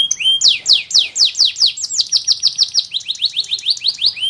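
A canary sings loud, rapid rolls of bright descending notes, first slower sweeps then fast even trills of about five notes a second.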